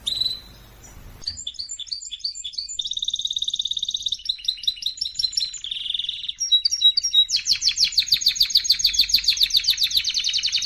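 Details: Canary singing in a fiery voice as training material: a soft note, then a varied run of chirps, rolling trills and buzzy tours that builds into a loud, fast, ringing trill.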